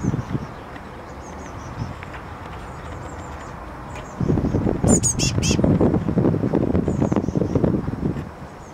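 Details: Great tit chick on a balcony on May 29th, waiting to be fed: a brief mid-clip burst of three or four loud, high, harsh chirps, with fainter thin calls before and after over a steady low background rumble.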